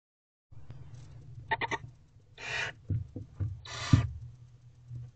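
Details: Hungry barn owl owlets around their mother in a nest box before dawn, 4:34 am on 20 April 2023: long harsh rasping hisses and short clicking bursts, with a low steady hum.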